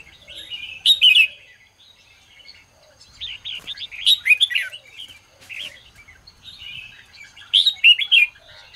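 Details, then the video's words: Morning song of a Red-whiskered bulbul used to rouse other birds into singing. Loud, lively phrases of quick whistled notes come about every three seconds, with softer chattering warbles between them. "chào mào hót sáng QUÁ HAY - CHÉ KÍCH BỔI CĂNG ĐÉT"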